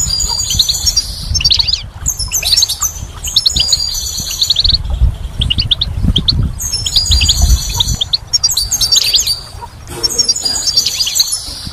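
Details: A goldfinch sings a spring song, a fast, tinkling jumble of twittering notes and buzzy trills in bursts of a few seconds, over a low rumble of background noise.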